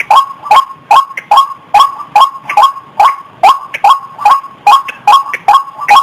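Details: White-breasted waterhen lure call used to attract wild birds: loud, harsh croaking 'kru-ak' notes in a steady pulse, about fifteen in six seconds, roughly two and a half per second, with nothing else audible.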